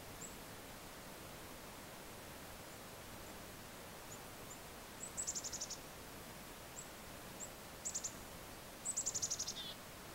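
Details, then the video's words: Black-capped chickadees calling during snowfall in central New Hampshire, winter: faint, very high thin notes in quick bursts of about five to eight, heard twice, plus scattered single high ticks over a steady background hiss. "snowfall and chickadees"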